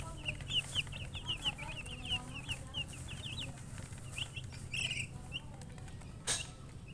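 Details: Baby chicks chirp in quick high peeps for several seconds, then the calling thins out, followed by a rustle and a sharp tap.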